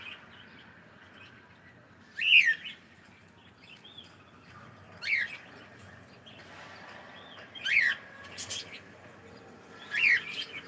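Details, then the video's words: A cockatiel greeting good morning utters four loud, sharp, downward-sweeping whistled chirps, roughly every two and a half seconds, with faint quieter chirps in between against a quiet room. "ShonaTheCockatiel saying gud morning"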